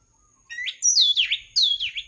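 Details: Song of an orange-headed thrush played to stir caged birds into singing: a few clear, ringing whistled phrases, each sweeping downward, in two quick bursts with a short pause between.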